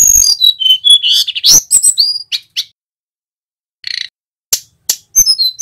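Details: Male mountain flowerpecker song used as a training lure: a rapid burst of high whistled and slurred notes, then scattered sharp clicks after a pause, ending with more high whistles.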